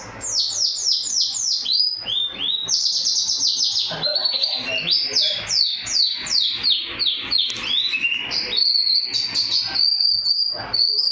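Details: Loud-voiced champion white-eye giving full canary-mimic song: a quick series of descending whistled sweeps, then chattering trills, ending in a sustained thin high rolling trill.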